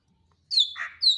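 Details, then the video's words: Greater green leafbird (cucak ijo), a songbird whose song types from Banyuwangi, Kalimantan and Sumatra are compared: a high clear descending whistle, then a lower buzzy burbling note, then another high whistle, with a quiet background. "Perbedaan Kicau Cucak ijo BWI, Kalimantan dan Sumatera"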